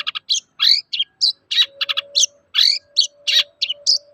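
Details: Long-tailed shrike toet-toet song meant to stir other shrikes to sing: a dense stream of sharp, scratchy high chirps and slurred notes about every quarter second, with a faint steady hum beneath.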